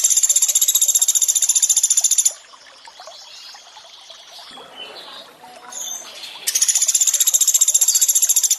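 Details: Training recording of Sunda pygmy woodpecker 'tembakan' calls with water: a high dry rattle ends, trickling water follows for about four seconds, then a fresh rapid trill of even pulses starts.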